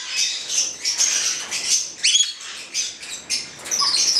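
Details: Black-headed parrots, a pair, making short raspy squawks and a quick falling whistle-like note, bursts spaced irregularly.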